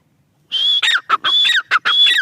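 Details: Female grey francolin (teetar) giving loud, harsh, ringing call notes, a high drawn-out note alternating with shorter lower clipped notes in a quick burst, with no background noise.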